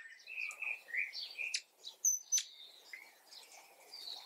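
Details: Quiet contact calls of a male Lady Amherst's pheasant, recorded close up: short, soft tonal chirps at a mid-high pitch, given irregularly several times a second, broken by a few sharp clicks.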